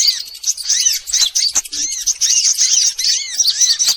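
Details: Recording played to lure sunbirds of all kinds: thin, piercing chirps and arched twitter notes crowded together in a steady, high-pitched chatter.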